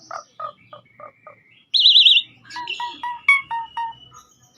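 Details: Asian pied starling in persistent full song on a master recording: a row of five short low chirps, then a loud, evenly wavering whistled trill, followed by quick rising and falling notes with sharp high clicks.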